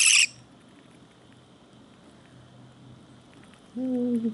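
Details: A baby budgerigar, about a week into being hand-raised, gives one harsh, raspy burst of begging call while being hand-fed.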